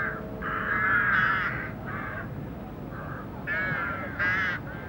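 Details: Rooks (Corvus frugilegus) at a rookery among the spires of Oxford give harsh, grating caws, several overlapping in bursts over a few seconds, with a low background hum.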